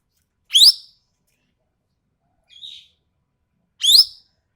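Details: Sumatran ekek keling calling sharply and harshly: a loud, rising, rasping note, then a softer short buzzy note, then another loud rising rasp, spaced over about four seconds.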